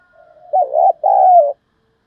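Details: Spotted dove call used as a lure to draw wild doves in quickly: one loud two-part coo, a short throaty note then a longer, even, slightly falling coo, preceded by a faint soft note.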